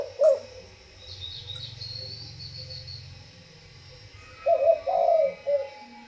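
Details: Spotted dove kept by a breeder of breeding stock. After a single low coo at the start and a stretch of low hum, a three-part coo sounds near the end: soft, hollow, mid-pitched notes in quick succession.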